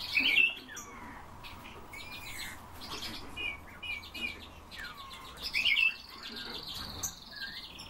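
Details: Eurasian bullfinch giving gentle, down-slurred piping whistles at irregular intervals, with two loud sharp high notes near the start and end and many other birds chirping and twittering behind.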